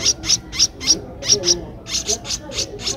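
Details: Streak-eared bulbul nestling, twelve days old, whose eyes opened at seven days, at Ubon Ratchathani, Thailand, on 14 April 2023: high, thin chipping notes in quick bursts, about three per second, with a short pause mid-clip.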